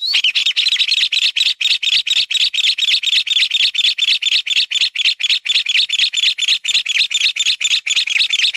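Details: Mountain bamboo partridge calling: a long, unbroken run of loud, harsh chattering notes, roughly four per second, each note a squeaky double-peaked chirp, steady in pitch and volume throughout, with no other sounds.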